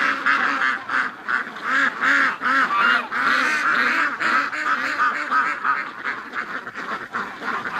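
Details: 700+ ducks and geese streaming out in a morning rush, August 2015: rhythmic, rapidly repeated nasal quacks and honks, close and clear, about three calls a second over a crowded background chorus.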